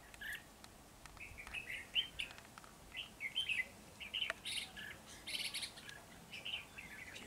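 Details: Red-whiskered bulbul singing a lively run of short, warbled whistles, phrases following each other almost without pause, some notes rising and falling sharply, with occasional higher bright notes.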